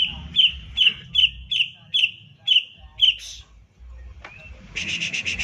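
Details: Fired-up Green leafbird (cucak ijo) in full song, meant to provoke silent leafbirds into singing: a quick run of eight clear ringing whistled notes at a steady bright pitch, then a harsher buzzy burst of rapid repeated notes.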